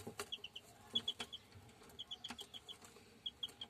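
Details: Peeping of pure German Shamo chicks: brief high cheeps in short bursts of three or four, separated by pauses, with sharp tapping noises between.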